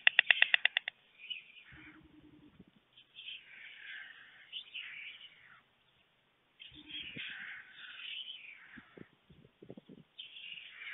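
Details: Two white stork chicks at a nest camera in Fohrde, Germany, on 28 July 2019, expecting to be fed by a visiting parent. A brief rapid rattle opens, then repeated breathy, hissing wheezes follow with gaps and scattered knocks.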